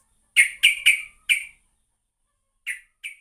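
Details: Sooty-headed bulbul used as a lure: a few separate sharp chip notes, first four close together, then two softer ones after a pause of over a second.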